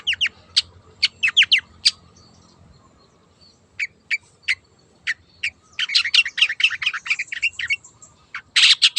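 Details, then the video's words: Long-tailed shrike from the wild in vigorous song: crisp, high chirps and clipped whistled notes, sparse at first, then a dense, rapid chattering burst, ending in a loud scratchy rasp. "PANCINGAN CENDET GACOR SUARA BURUNG LIARAN"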